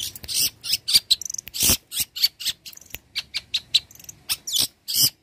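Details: Long-tailed shrike imitating other birds, meant for training songbirds: harsh scratchy bursts mixed with sharp high chirps and short whistles in a fast, uneven jumble.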